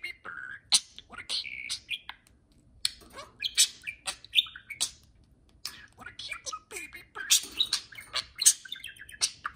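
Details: Pair of pet budgies chattering to one another during indoor free flight: scratchy warbles, clicks, sharp squawks and brief whistled notes in uneven bursts, with quieter gaps between, over faint household hum.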